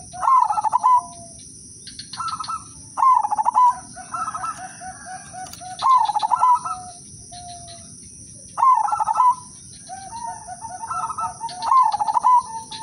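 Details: Lure-singing udanmas silver zebra dove repeats short, fast pulsed coo phrases about every three seconds, intended to make other doves sing. Quieter trills and soft repeated notes from other doves fill the gaps, with a steady high hum.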